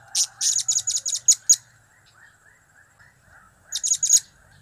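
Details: Blue-crowned hanging parrot giving rapid series of high, sharp chirps, about seven in quick succession, then a silent gap and another burst of four, clear over a quiet background.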